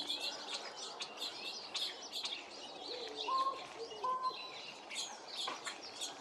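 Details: American crow on 28 February giving an unusual call of unknown meaning, heard as "coo-honk": a few short, hollow, honking coo notes over a busy chorus of high-chirping small birds.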